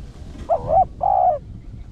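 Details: Spotted dove, Rặc Đồng voice, cooing to lure wild doves; one brief phrase of a rolling first note and a smooth sustained second note over low background noise.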